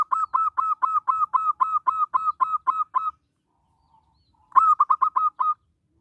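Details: Local zebra dove singing, meant to prompt other zebra doves and lure them: a long run of about thirteen regular cooing notes, a pause, then a burst of six more.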